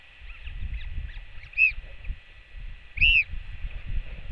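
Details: Royal albatross chick on a nest cam giving a skycall to welcome its returning mother, 8 June 2024: two arched, whistled calls with overtones about 1.5 seconds apart, over steady low rumbling wind and a constant background hum.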